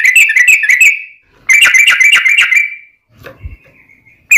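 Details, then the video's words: Fighting song of a Yellow-vented bulbul for provoking other bulbuls: two quick rushes of fast chattering whistles separated by a pause, then a faint level whistle and a soft low thump before one last note. "trucukan gacor tarung ROPEL PANJANG buat pancingan trucukan agar bunyi JADIKAN trucuk gacor NYAUT"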